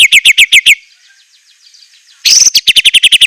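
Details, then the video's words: White-rumped shama, fierce fill song: sharp chip notes in quick succession, a faint fading trill during a pause, then a burst of loud rapid chips. "ISIAN MEWAH MURAI BATU_PALING TOP SUARA SANGAR"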